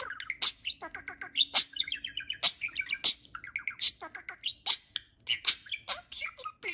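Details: Two pet budgerigars flying freely around a house, calling back and forth to each other: continuous rapid warbled chatter of harmonic chirps, buzzy trills and sharp clicking ticks, bursts coming several times a second with no pause.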